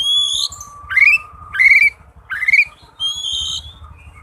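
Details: Oriental magpie-robin song used as a lure for reluctant magpie-robins: rising whistled phrases repeated about every second over a steady mid-pitched tone, with high thin whistles at start and end.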